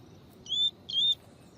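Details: Double-collared seedeater, from a training recording of tui tui song with female calls: two steady, flat, high whistled notes, each about a quarter-second long and separated by a short gap.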